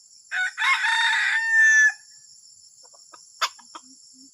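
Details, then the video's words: Junglefowl call described as strange and disturbing: a harsh, buzzy crow of about one and a half seconds, followed by a few faint clucks and clicks. A steady high whine sounds throughout. "AYAM HUTAN SUARA ANEH PENGGANGGU"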